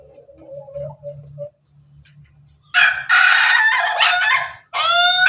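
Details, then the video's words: A Pelung rooster eating alongside hens. Soft low clucking comes first, then a loud, drawn-out, undulating crow. A second crow begins just after it ends. "suara ayam ketawa berkokok"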